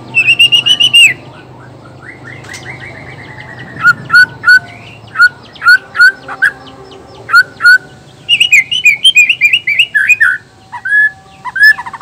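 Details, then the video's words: Male white-rumped shama of the black-tailed Nias form, singing a song meant to provoke rival males into singing: loud clear whistled notes, a rising trill, then spaced sharp chips and fast varied twittering phrases with pauses between bursts. "suara alam khas murai batu blacktail,ekor hitam,nias..suara ini bisa bikin auto emosi murai lain.."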